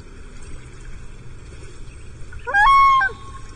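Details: Common loon on Lake Vermilion on 14 July 2024, from a mating pair that left its nest and fourth egg on a tiny rocky island after bald eagles flew over. One loud, harmonic call rises quickly and then holds steady for about half a second. Faint small-bird chirps are heard.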